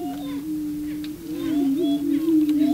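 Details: Male prairie chickens on the booming grounds, displaying to attract a female: a steady low hollow hum that wavers slightly, with faint higher whoops over it.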